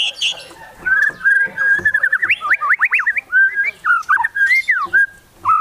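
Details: White-rumped shama singing actively in high excitement, firing off fill-in phrases in a luxurious style: a rich, fluid run of varied whistled notes, rapid up-and-down slurs and trills, ending with a few separate rising whistles.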